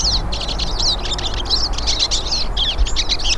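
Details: Hooded siskins, several birds, singing outdoors in nature; quick high-pitched twitters and sweeping chirps run together almost without pause, with a faint low rumble beneath.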